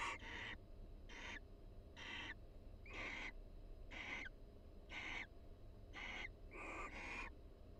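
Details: Barn owl pair vocalizing softly inside their nest box at the University of Florida while preening each other; a steady run of about nine short wheezy, rasping notes, roughly one per second, over faint hum.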